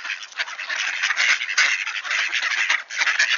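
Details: A group of wood ducks back at Sainte-Adèle, Quebec, on a cold, clear October 2024 morning, calling together in a thick jumble of harsh squeals and nasal notes that swell and fade briefly.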